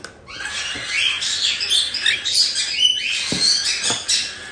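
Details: Cockatiel chicks around one month old from a Tokachi, Hokkaido breeder make scratchy, chirping 'jaa-jaa' begging bursts in quick uneven runs, indoors with a few soft knocks.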